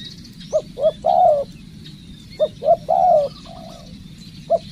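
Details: Spotted dove being trained as a decoy, calling two clipped coos and then a long, drawn coo, the phrase repeated twice and followed by a softer coo and a lone short note, with high faint birdsong behind.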